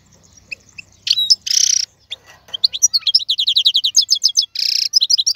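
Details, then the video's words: Adult male European goldfinch singing, kept to teach young birds: varied twittering with brief buzzy bursts, then a fast series of clear high chirps, a harsh buzzy note, and more quick tinkling notes. "تغريد الحسون : تغريد روعة"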